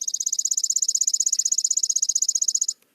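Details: Chipping Sparrow: a fast, dry, high metallic trill of about fifteen chips per second, held level for nearly three seconds; a species also found in pine habitat and urban areas like parking lots.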